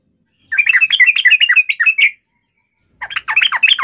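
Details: Provoked fighting call of a yellow-vented bulbul: a hurried, scratchy chatter of tumbling notes for over a second and a half, a clear pause, then another quick bubbly burst.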